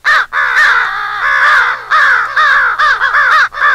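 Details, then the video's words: Excited American crows rallying against an owl, a crow-hunting sound: rapid, harsh caws crowd together almost without a break, many birds calling over one another. "American Crow/Owl Rally Call"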